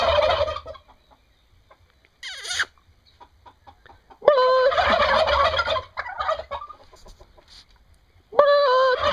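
Turkeys gobble in loud, rapid, rattling bursts about every four seconds, with quieter clucks and shuffling between them.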